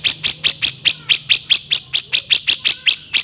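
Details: Grey-cheeked bulbul (cucak jenggot) delivering harsh kasaran vocals for songbird training: around fifteen loud, grating chip notes repeat evenly, about four or five each second, over a quiet low hum.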